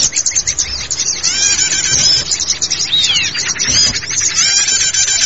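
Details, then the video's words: Mixed small forest bird song used as a lure for small forest birds: dense, continuous high twittering with rapid chirps, trills and short whistled slurs packed together throughout, with faint low thumps. "SUARA KICAU PIKAT BURUNG KECIL HUTAN"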